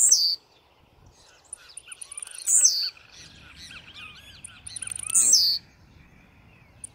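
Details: Aggressive song of a blue-black grassquit: three piercing high buzzes falling in pitch, each under half a second and repeated about every two and a half seconds. Soft chirps sound in between.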